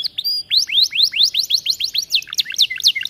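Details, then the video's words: Vigorous aviary canary song used as a tutor recording for training other canaries: a few high whistles, then a fast run of steep downward-sweeping notes at about four per second, shifting into looser chirps near the end. "Kenari gacor cocok untuk masteran"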